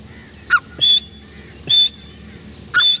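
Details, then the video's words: Grey francolin giving loud, shrill, harsh notes in short bursts, about one each second, with a high whistled tone running through them. "Teetar Voice|| top 5 sounds of Dakhni teetar birds||gray francline awaz || Irani teetar ki awaz"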